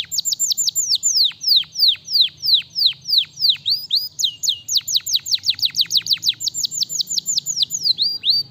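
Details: Canary song made of steady, evenly spaced descending whistled sweeps repeated about three times a second, broken by brief quick trills before the rhythmic downslurs resume.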